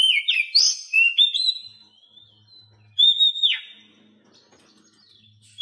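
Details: Captive Oriental magpie-robin tutor song, used to coax silent birds into singing and learning to twitter, rich with imitated phrases. A loud burst of rising and falling whistles, a long pause, then one clear note sliding downward, followed by quiet.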